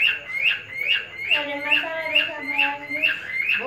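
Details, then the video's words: Kept male cockatiel courting a female, clear upswept whistles repeated in an even rhythm roughly twice a second, with a person's voice murmuring underneath in the middle. "Tease The Cute Female Cockatiel"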